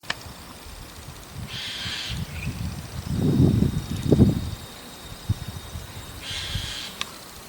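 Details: ['White-cheeked starling calling on a roof in the evening, repeatedly; two harsh, buzzy half-second calls spaced about five seconds apart, over low rumbling thuds and background noise.']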